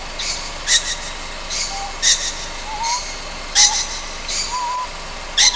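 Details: Ryukyu scops owl fledgling on Amami Oshima, Japan, at night: breathy, hissing bursts spaced irregularly, roughly every one and a half to two seconds, mixed with faint short rising whistles over a steady background hiss.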